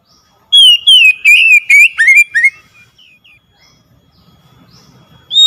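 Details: Oriental magpie-robin singing, used to stir a silent bird into song: a string of loud whistled notes that slide downward toward the end, quiet gap, then a single new whistle starting.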